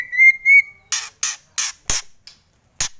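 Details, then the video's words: Two level whistled notes lead into a White-rumped shama's series of harsh kretekan bursts, about three per second at first, then spaced out. "Kretekan Murai Keras"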